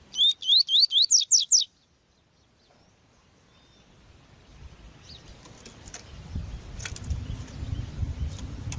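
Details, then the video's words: Double-collared seedeater singing the tui-tui song style, a recording with a female, used to train and warm up birds for tournaments: seven quick, high, rising whistled sweeps in about 1.6 seconds, then quiet giving way to a swelling low rumble of noise. "MELHOR CANTO DO COLEIRO TUI TUI PARA ENCARTE DE COLEIRO"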